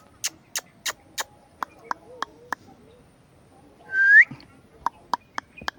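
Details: Indian ringneck parakeet talking and making sounds: a run of sharp regular clicks, then one loud rising whistled note that curls upward, followed by more quick clicks.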